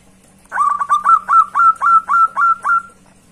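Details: Zebra dove, a strong bird calling to a rival. It gives a quick run of about nine short cooing notes, each rising and falling slightly. The notes come about four per second over a soft steady hum.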